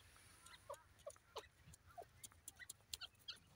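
A young grey francolin gives scattered short, soft chirps mixed with thin, high ticking notes, several a second, over a quiet background.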